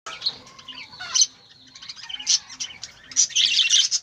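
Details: Budgerigars in their cage chattering with quick, scratchy warbles and high chirps, several birds overlapping.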